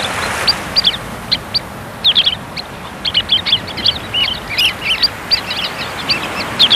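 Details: Sanderlings on a North Sea beach on Texel, running after waves to feed, give a steady scatter of short, high, sharp 'plit' notes from several birds at once, overlapping irregularly over a soft hiss of surf or wind.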